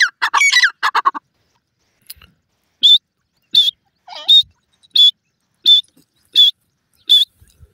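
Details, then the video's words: Irani teetar, a partridge, calls: a burst of harsh, loud rasping notes at the start, then a series of short, sharp, high whistled notes repeated roughly every 0.7 seconds. "irani teeatr ki latest awaz,partridge bird ki latest voice"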